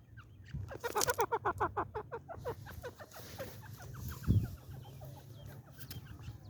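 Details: A male grey francolin gives a quick burst of harsh, nasal notes, about ten a second, then a softer run of repeated notes over a steady low rumble.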